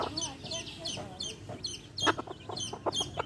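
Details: Baby chicks with their hen, peeping in quick high downward chirps, with low clucking and some voices underneath.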